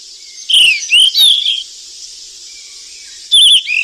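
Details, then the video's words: Beautiful golden flycatcher in the wild while feeding its chicks: loud, sharp downslurred chirps in two bursts, then a twisting chirp near the end, over a steady high hiss. "BURUNG SIKATAN EMAS YG CANTIK DI ALAM LIAR LAGI LOLOH ANAKNYA PLUS SUARA MASTERAN"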